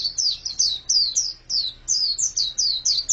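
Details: High, thin, falling chirps from a female white-eye (pleci). The notes come in quick succession, with a brief pause midway. Soft low background rumble.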